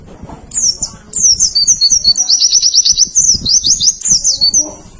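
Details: White-eye singing on a recording for training birds, a continuous high-pitched jumble of quick twittering notes, short trills and slurred whistles over a soft low background hum.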